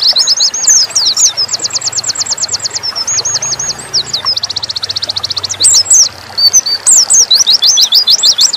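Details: Nembak-style song of a dakun Oriental white-eye: mixed high chirps leading into long, fast, even trills, then varied squeaky twitters. A faint low hum sits underneath.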